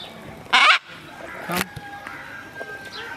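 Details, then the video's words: Green and orange macaw letting out a loud, harsh, grating squawk followed by a shorter rasping call, with faint bird chirps and low background murmur. "Green And Orange Macaw Sounds"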